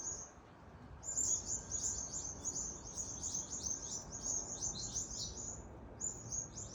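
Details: Birds being chased by a rat in Adelaide, Australia, break into loud chirping after a brief lull; fast high chirps crowd together for several seconds, then pause and resume, over quiet background.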